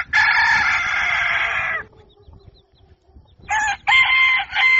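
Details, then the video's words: At dawn a rooster gives a long, steady, strident crow lasting nearly two seconds, then after a quiet gap begins another choppy crow in short loud bursts. "Canto Do Galo | Galo Cantando Ao Amanhecer | Som Do Galo | Galo Cantando Para Acordar"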